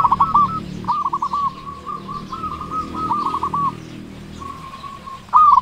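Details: Big-voiced local zebra dove used to coax silent doves into song: several rolling, quavering coo phrases on an even pitch, separated by short breaks, ending with a sharp louder note.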